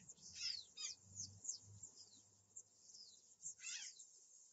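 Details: Three rough, grating Azure Jay calls, two close together and one later, recorded by a live camera on 11 July 2013 in early afternoon, amid many thin, high chirps and twitters from other birds.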